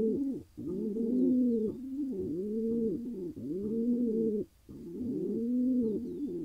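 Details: Rolling low coos of a wild male pigeon in Israel, content after finding a mate, repeated in arched phrases with a faint high steady tone in the background.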